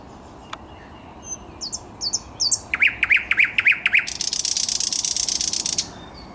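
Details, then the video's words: Thrush nightingale singing on 10 May 2021: a few scattered high notes, then a run of about six loud, repeated, down-swept chirps, ending in a long, dry, buzzy rattle that lasts nearly two seconds. "Słowik Szary"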